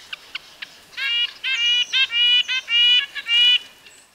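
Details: Red-breasted nuthatch (Sitta canadensis) calling: a run of nasal, tin-trumpet-like notes, seven or so in about three seconds, preceded by a few short sharp ticks, with faint high bird chatter in the background.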